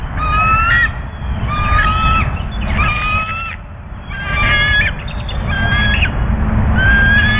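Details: Bald eagles at the U.S. Steel nest while incubating two eggs, 05/03/2024, with a furry animal carcass for the female; repeated bursts of squeaky, whistled chattering notes, each about a second long, over constant low wind noise.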